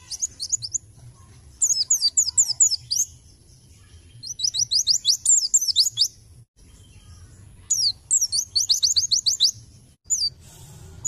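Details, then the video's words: White-eye (pleci) lure song in lively 'gacor nembak' fashion: repeated volleys of very high, quick downslurred chirps, several seconds each, separated by brief silences, over a low background hum. "Pancingan Pleci Gacor Nembak"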